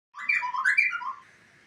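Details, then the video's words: White-rumped shama song used as a training model for other birds: a short burst of rich whistled and warbled notes, rising and falling, fading after about a second. "masteran suara asli murai termewah burung lain langsung gacor"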